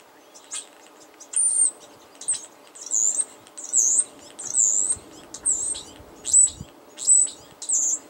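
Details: Centra, a wild female European starling who often visits alone, sounds happy as she 'talks' on 3/21/13: a run of high, squeaky whistled notes, some slurred up and down, about once a second, over faint hiss.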